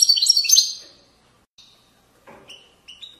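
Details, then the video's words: European goldfinch, Moroccan widani style, 2020: a brief loud flurry of high twittering song lasting under a second, followed by a few faint soft chirps and short whistled notes. "تغريد ويداني أصيل من ضفاف الوديان المغربية goldfinch hason chant widaniya chardonner"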